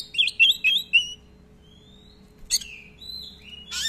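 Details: Oriental magpie-robin (kacer) singing actively in long rolls with many filler phrases, used as a lure to tutor other birds: four quick slurred whistles, a thin rising whistle, a sharp burst, then falling whistled notes over a steady low hum.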